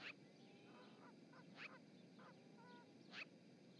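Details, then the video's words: At the Charlo, Montana osprey nest on 7 March 2018, a magpie on the live cam gives three clipped, harsh notes about 1.5 seconds apart, mixed with softer whistled and trilling calls from other birds and background noise. "Chatty magpie"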